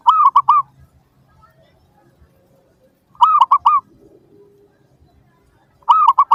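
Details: Zebra dove song used as a lure to make other doves respond: three bursts of four to five quick arched, rising-falling cooing notes, spaced about three seconds apart, with a faint low hum between them.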